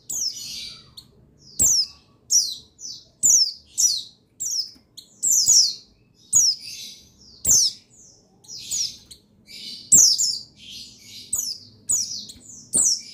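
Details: Chattering song of a male buxtoni white-eye (pleci), meant to stimulate reluctant birds to sing. Rapid high twittering bursts of slurred, descending notes repeat steadily, about every half to one second, for the whole stretch.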